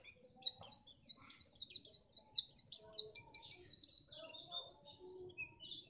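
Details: White-eye song from Pacitan, used to get birds singing for contests: a continuous, somewhat quieter run of rapid high chirps and trills, with faint low background noise.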